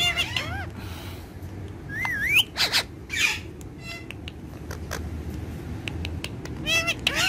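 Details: Pair of pet ringneck parrots, dancing and talking; scattered sharp clicks, a curling whistled note sliding upward, brief squawks, and a rapid ladder of arched notes at the close, with steady low background hum.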